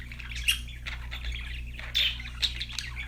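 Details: Pet budgerigars chirping and singing: sparse scratchy chatter broken by sharp squeaky chirps, a bright squawk near the half-second mark and another burst around two seconds, with a constant low hum beneath.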